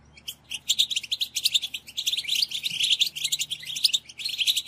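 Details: Group chatter from European goldfinches to stimulate males: a rapid, nearly unbroken stream of sharp, tinkling chirps and trills from many birds, crowded and lively.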